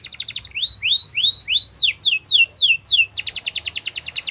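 A Yorkshire canary sings a fast, high trill, then four rising whistled slurs, five quick downward sweeps, and a closing rapid rolling trill.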